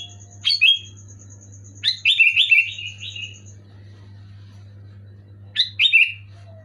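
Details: Sooty-headed bulbul (kutilang) singing loud clear gacor song to stir silent birds: a short double whistle, then a longer rippling run of six or so liquid notes, and later another quick double phrase; background hum and high tone.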